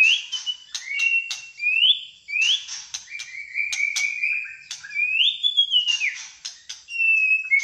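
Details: Malaysian white-rumped shama, fighter type, singing clear whistled phrases that sweep upward and hold, separated by sharp clicking ticks, repeated in bursts about every second.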